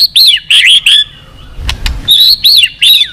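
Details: Singing white-rumped shama, song used to push other birds into contest singing: high arched whistles repeated about every third of a second, a short break with faint clicks, then the same arched notes again.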